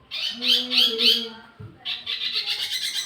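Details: Wambi mini used to lure and tutor tledekan birds, giving harsh squawky notes followed by a rough rapid chatter.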